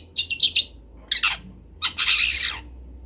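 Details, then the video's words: Long-tailed shrike, local Kendal bird used for training others, gives three harsh outbursts: a rapid stuttering chatter, a descending rasp, then a long grating buzzy note. "MASTERAN CENDET TROTOL BELAJAR BUNYI | CENDET LOKAL KENDAL"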